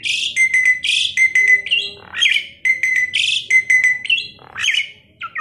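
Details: Chattering tame Asian pied starling used for training other songbirds mixes loud buzzy bursts with steady level whistles, then a steeply rising swoop, the pattern repeating twice over five seconds.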